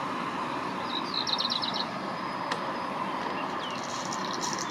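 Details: A one-year-old male black redstart, not yet in breeding plumage, practising song in spring 2021 at Gradignan, France, gives a quick, high string of chirpy notes, then a faint scratchy ending, over a steady roar like traffic or machinery.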